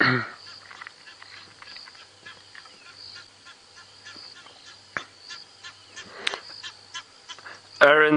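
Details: At sunrise on an early-morning safari drive in the African bush on 28 January 2017, harsh, loud Egyptian goose honks open and close the clip. Between them come faint repeated whistled notes from smaller birds, possibly white-browed scrub robins, over a steady high insect hum.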